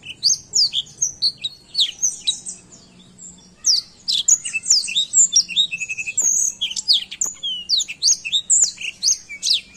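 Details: Black-throated canary giving energetic tutor song: fast sequences of piercing chirps and slurred notes, one short break midway, then a rush of twittering with a brief buzzy trill.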